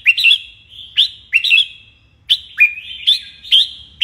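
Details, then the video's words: Red-whiskered bulbul in morning singing training, a caged bird being pushed toward strong competition song: loud whistled phrases with sharp rising starts and slurred endings, repeated roughly every half second to second, no other sounds. "Luyện chào mào hót sáng"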